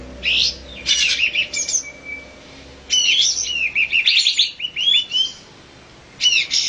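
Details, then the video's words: Olive-winged bulbul producing varied chirps and slurred whistled notes, including a short run of looping upward-swept calls, then a final burst after a brief pause. "olive-winged bulbul"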